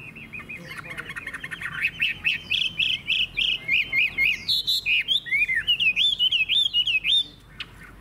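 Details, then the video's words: Chinese hwamei kept in Vietnam, a loud singer with a good voice, building from a low rattle into a steady chain of clear whistled notes, about three per second, each curling upward, before stopping abruptly. "Họa mi hót hét tốt - Giọng hay"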